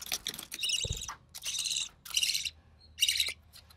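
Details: Recessive pied budgie chick, hatched early June 2020 to a white recessive pied male and albino red-eye female, being fed by its mother: rough, broken rasps in four uneven bursts over soft clicks and rustling.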